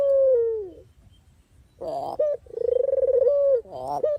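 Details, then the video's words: Dove (puter/deruk) cooing used for training and as a trapping lure: a sustained coo falling at the end, a pause, a coarse burst, then a pulsed trill into a level coo and another rough note. "suara asli burung puter/deruk buat isian,pikat dan pancingan"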